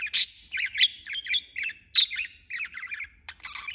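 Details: Constant budgerigar chirping: a sharp squawk opens, then quick chattering warbles and short buzzy notes tumble along without stopping.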